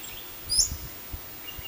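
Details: A splendid fairywren in Western Australia gives a single thin, very high, sharp chirp, quickly sliding in pitch, over low rumbling wind noise and a few soft thumps.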